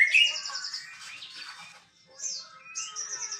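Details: Male white-rumped shama kept by Indonesian songbird enthusiasts, heard more softly: a bright high trill opening, quieter rambling warbles, then thin buzzy high-pitched trills near the end.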